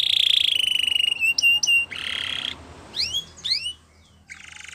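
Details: Canary singing for training young canaries, billed as in the wild: a loud flat buzzy trill, clipped notes, a harsh rasping block, several upswept whistles, then a softer rolled trill over low background noise.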